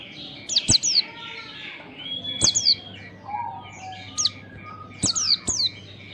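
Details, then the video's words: Oriental white-eye singing to encourage young birds to start singing; thin, high descending chirps come in pairs and triplets at irregular intervals, with a constant background tone and a low electrical hum. "pancingan pleci bakalan agar cepat ngalas gacor !!!, merangsang pleci cepat gacor"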